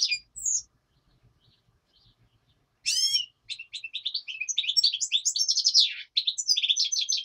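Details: Singing black-headed goldfinch by day, a common nightingale reportedly singing in the background; brief twitters, a pause, a sweeping harmonic note, then a sustained stream of rapid, high, liquid twittering and buzzy trills.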